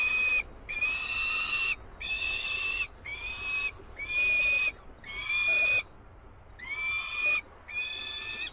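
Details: Nest of a peregrine falcon in Włocławek, 24 May 2022, with an adult delivering live prey; a regular series of strained, whining calls, each rising slightly then held, about eight in eight seconds.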